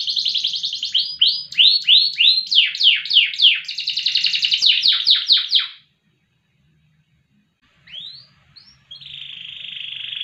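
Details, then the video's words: Canary singing in loper style, noted for long duration and volume. Fast trills and swooping slurred notes run for about six seconds, then a brief silence. Two short notes follow before a buzzy trill resumes. "KENARI LOPER PRESTASI DURASI VOLUME LAGU MANTAP"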